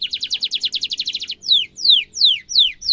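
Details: Canary giving a sharp roll for tutoring young canaries: rapid buzzy trill for over a second, then four slow descending whistled notes spaced about half a second apart.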